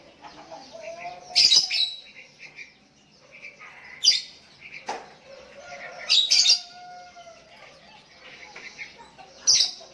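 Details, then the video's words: Sooty-headed bulbul calling toward a rival, other bulbuls joining in; irregular loud bursts every two to three seconds with chattering notes and a faint level whistle between. "Burung Kutilang Memanggil Lawan pancingan,,dan Kutilang Lain Ikut nyahut"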